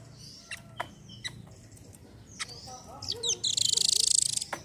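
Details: Velvet-fronted nuthatch song, played to prompt silent birds to sing: scattered sharp high chips, then a rapid, loud, very high trill near the end.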